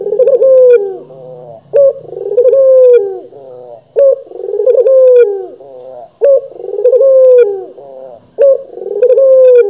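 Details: Indonesian local puter, a kept Barbary dove, coos in steady succession: throaty, rolling phrases with a quick vibrato trill and falling tail, repeating about every two seconds, with no other sounds.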